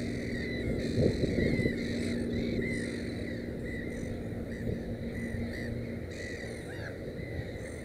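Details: Black-headed gull at a nest with three chicks; harsh arched calls come in uneven bursts, with a low steady hum beneath and a few soft thumps.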